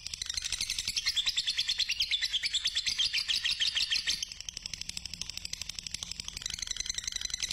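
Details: A "fighter" lovebird used as a lure pours out a long, rapid, high chattering trill of shrill notes, loud for about four seconds, then softer and continuing.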